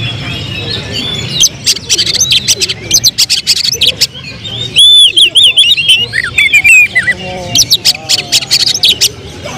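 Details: Caged oriental magpie-robin, a prospective contest bird, turning excited into volleys of tembakan song: sharp high clicks and ticks, then loud sweet looping whistled phrases mid-clip, followed by rapid chattering notes.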